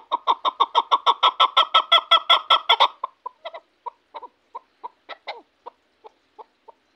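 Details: Chukar partridge from Shahritus, praised as a hunting bird, delivering a rapid run of harsh chuk notes for about three seconds, then slowing to scattered, softer single and double clucks.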